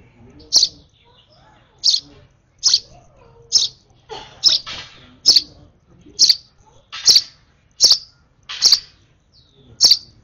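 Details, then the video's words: Sparrow baby, over-excited while being hand-fed, calls insistently with a steady series of bright, high chirps, about a dozen, coming a little faster than one per second, with some soft clicks between. "Last feed of a UNLUCKY, Over Excited Sparrow Baby"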